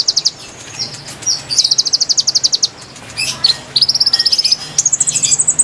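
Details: Konin song used to attract wild birds: short bursts of rapid high notes, a pause, then a steady trill followed by a higher, very thin trilled run.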